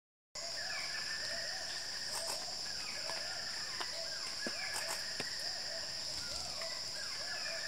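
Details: Wilson's bird-of-paradise on a lek in West Papua, Indonesia, with 4 males and 2 females present. It gives a steady run of short, low, arched nasal notes, about two per second, over loud high-pitched insect drone and scattered forest clicks.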